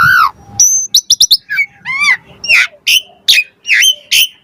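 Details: Asian pied starling fill-in song used as a lure: a warbled falling note, crisp clicks, arched whistles, then loud harsh squawky notes repeated about once a second.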